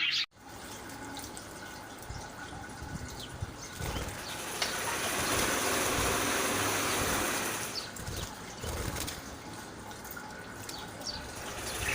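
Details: Steady broadband water noise, like a tap or flush, swells in the middle and then eases off. No distinct animal calls stand out above it.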